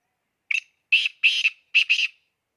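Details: Excited black francolin (kala teetar) giving its call: one short harsh note, then four rasping, buzzy notes in close pairs, grating and evenly loud, with clean silence around the phrase.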